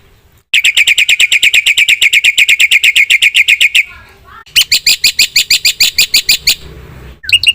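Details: Black-winged myna (jalak putih) in vigorous, varied song: a long, steady run of harsh chattering notes, several each second, a short gap, then another loud burst and a final sharp call.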